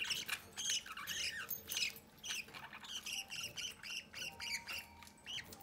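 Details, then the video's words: Captive budgerigar chicks at the nest entrance being fed by their parents, giving rapid, raspy chirps repeated almost twice a second, with warbling chatter from the adults mixed in. "Mi Pareja de Periquitos Australianos alimentan uno de sus Pichonsitos desde la puerta del nido"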